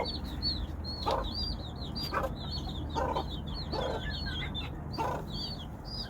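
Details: Hen calling her chicks: many high, quick peeping calls from chicks fill the clip, with short low clucks breaking in about once a second against a steady low background hum.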